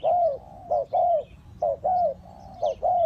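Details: Spotted dove decoy calling to lure wild birds for trapping: low mellow cooing phrases, each a short note followed by a longer arched croo, repeated about once a second, with faint bird chirps above.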